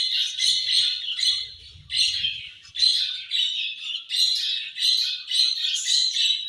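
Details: Budgie chirps while feeding: short high warbled phrases repeat about every half second to second, each a bright scratchy burst, with faint low knocking early on.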